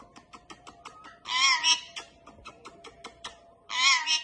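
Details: Indian ringneck parakeet kept as a talking pet, known to say "Allah hoo": quick ticking clicks, then two loud, rich, speech-like bursts about two seconds apart, with a constant low hum behind.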